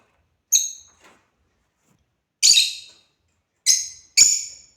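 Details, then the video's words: African lovebird chirping at play: a thin high note, a pause, then three loud, harsh, screechy chirps, the last two close together. "Love Birds #playing"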